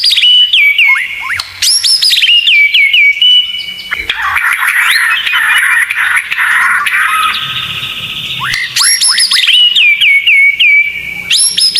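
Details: White-rumped shama tembakan-style tutor song: loud rising shots and cascades of descending whistles at start and end, with a dense, scratchy chattering passage in the middle.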